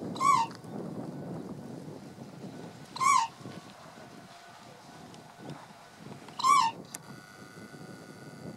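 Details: A human-habituated red-crowned crane (Grus japonensis) near Kayanuma Onsen and Kayanuma Station, Hokkaido, in March 2015 gives three loud, brassy, rippling calls about three seconds apart over a low background rumble.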